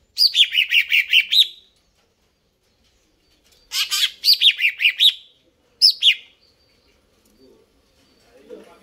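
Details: Greater green leafbird in full, lively song: bursts of quick descending chirped notes, each phrase of six to eight notes, repeated after short silences, clear with no background noise.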